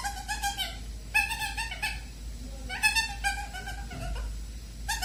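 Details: Indoor pet bird, caged before its 8 pm sleep, giving new chattering sounds: quick clusters of raspy, nasal notes with rich overtones, repeated in short volleys separated by brief pauses, over a low room hum.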